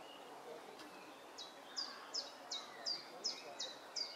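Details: Three Egyptian goose goslings accompanied only by their mother, recorded 17 June 2012: high, thin downslurred peeps repeated about three times a second, growing louder and steadier through the second half, over a soft, even background hiss.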